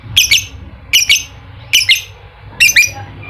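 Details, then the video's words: Lovebird song used as a lure to get a quiet lovebird to sing ngekek style: four short bursts of shrill, squawky chattering notes, each a quick double squeak, spaced roughly every 0.8 seconds over a low steady hum. "Pancingan Lovebird malas bunyi, agar aktif Ngekek"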